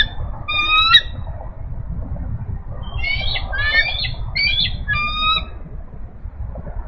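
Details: Bald eagle eaglets, three and five days old, in a nest on a live nest cam in the afternoon of 5 April 2018; thin high squeaky chirps in short bursts, one early, then a cluster of quick squeals, over rumbling wind noise.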